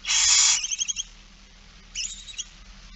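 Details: Barn owl at a nest during feeding, recorded on 8 September 2019 at 16:02: one loud, harsh broadband hissing screech lasting half a second, then fading rapid clicks and a softer, shorter hiss burst.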